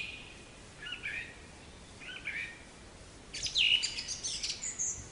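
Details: Black-capped chickadee, a North American tit of deciduous and mixed forests: two soft, low burry notes, then a louder cluster of high sharp notes with rasping buzzes at the end.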